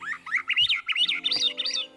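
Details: Swainson's Thrush song: magical, fluty, ethereal ascending phrases spiraling upward in quick rising swirls, each about half a second, with a faint low hum beneath.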